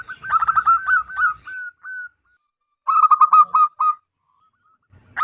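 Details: Loud, ringing calls of a wild local zebra dove, the kind played to lure others: a fast stuttering run of cooing notes, then two drawn-out single notes, a pause and another rapid burst.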